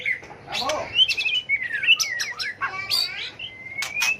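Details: Competitive fighting song of a White-rumped shama in training for song contests: sliding whistles, rapid scratchy warbles and clicks, ending in a long thin level whistle.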